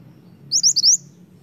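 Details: Snowy-browed flycatcher (Ficedula hyperythra) song: four quick, thin, very high notes, each a short upward sweep, packed into half a second over a faint low hum; recording used as a lure for the species.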